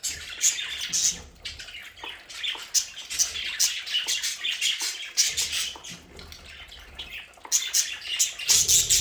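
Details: Several pet budgerigars in an indoor play area keep up dense, bright chattering and twittering with frequent sharp chirps and only brief pauses.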